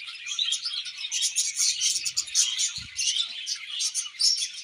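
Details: Several budgies chirping together: busy, high warbling chatter with quick tweets layered over one another, plus a soft thump near the middle.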